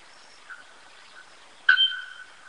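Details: Bare-throated bellbird (araponga) with a sudden piercing metallic note that rings on and decays, preceded by two faint soft notes against quiet background hiss.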